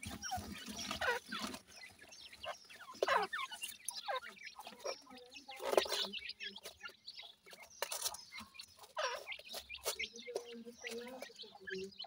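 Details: Feeding dakhni teetar (grey francolin) chicks give a busy mix of high chirps, soft clucking notes and pecking clicks, with brief louder rustling bursts.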